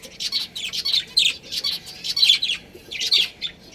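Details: Budgerigars, a breeding pair, chirping: a busy run of bright, scratchy chirps and squawky notes that come in quick bursts of several notes, with short pauses between them, indoors.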